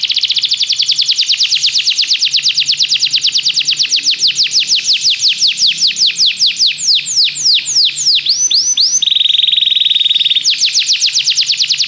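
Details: Belgian canary song used for training other canaries: long rapid rolling trill of repeated sweeping notes, slowing into broader descending notes, a brief steady whistled tone, then a fast trill resuming.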